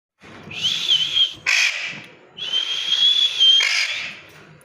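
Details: A parrot gives a long, steady, high whistle that wavers slightly. A short harsh squawk follows, then a second drawn-out whistle and another rasping burst, with a quiet background.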